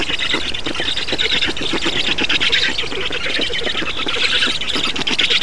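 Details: During feeding on 8 June 2019, Estonian black storks keep up a steady stream of hoarse, rasping calls repeated several times per second. The noisy, clattering chatter carries on through the whole passage.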